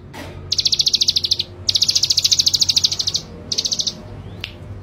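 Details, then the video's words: Male ciblek gunung, described as a frequent, bold singer: high, rapid buzzy trills of evenly pulsed notes in three bursts, each one to one and a half seconds long, over steady low background noise. "Burung Ciblek Gunung Jantan Si Gacor Dan Pemberani"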